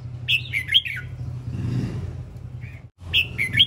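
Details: Male red-whiskered bulbul singing: two bursts of bright, warbled whistled phrases with quick up-and-down notes, separated by a pause, over a steady low hum.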